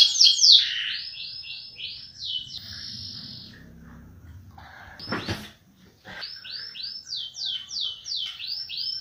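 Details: Canary rolling song: a series of quick descending swooped notes and a sustained high trill, broken by a short scraping knock and a pause, then more repeated swooping notes resume at a brisk rhythm.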